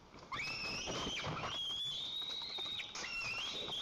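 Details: White-tailed eagles at a nest in Lower Kama National Park, Tatarstan, waiting for the father to bring fish: long thin whistled squeals, level and slightly rising, overlapping, with some rustling.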